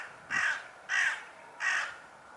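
A hooded crow gives three harsh, hoarse caws, each about a third of a second long, spaced roughly every 0.6 seconds, with no other notable sounds.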